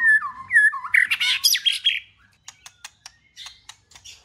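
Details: Singing white-rumped shama, meant to stir a pet bird into song: fluting slurred whistles open into a loud, rich jumble of warbled notes, followed by a string of soft dry clicks.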